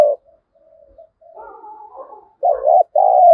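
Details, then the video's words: Spotted dove decoy used to goad wild birds into fighting, thổ style. Quiet, rambling soft coos fill the middle before a loud final phrase: a quick doubled coo and a long, even deep coo. "Chim Cu Mồi Thúc Đấu/ tieng cu gay kich boi nhanh noi"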